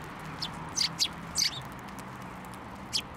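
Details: Hand-fed sparrows at a Tenmangu shrine, 21 December 2023, giving a few sharp high chirps in quick succession, then one more after a pause, against a low constant hum.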